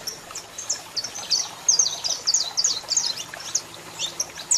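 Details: High twittering chirps from a singing male saffron finch with a female calling, a busy irregular stream of short bright notes over faint background hiss.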